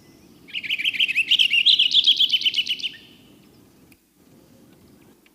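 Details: Purple Finch song, a bird widespread on a college campus: a rapid, rich warble of about ten bright notes over two and a half seconds, played back indoors from a boombox over a low room hum.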